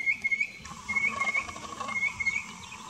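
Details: Noisy miner (Manorina melanocephala) in an Australian backyard garden gives thin, high whistled peeps in quick clusters of three or four, repeated through the clip over a soft outdoor hiss.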